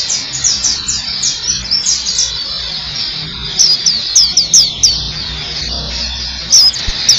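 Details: Black-capped white-eye giving quick high slurred chirps, softer and blurred at first, then sharper, distinct downward notes in short bursts over low background noise.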